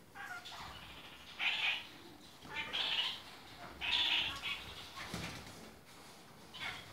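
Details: Red-crowned parakeets, kept birds in various colours, giving nasal mewing squawks about once a second, each short and strong, with quieter chatter between them.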